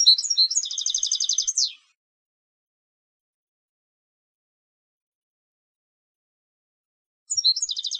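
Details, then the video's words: European goldfinch kept as a competition songbird, giving a rapid twittering phrase into a dense buzzy trill that ends with a downward slide, then about five seconds of silence before the phrase starts again. "Canto del Jilguero de Concurso"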